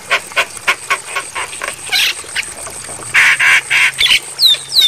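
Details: Javan myna song in a training recording for caged birds, intended for night playback: a series of short, evenly repeated harsh notes, then louder broad squawks and a few thin descending whistles near the end.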